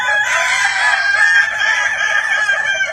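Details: Kukuak Balenggek chicken giving a continuous, loud, rich crow at dusk, the tone held evenly across the full three seconds.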